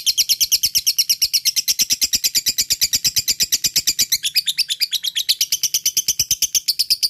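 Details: Fighter lovebird giving its long ngekek song, used to prompt lazy lovebirds to sing: a rapid, evenly spaced run of sharp high chirps, about six per second, unbroken for the whole stretch in a quiet setting.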